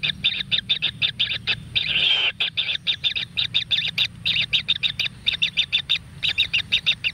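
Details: Kingfisher young in a natural nest, fed with frogs, utter steady rhythmic rasping notes several per second, with one longer, louder grating burst partway through; low background hum.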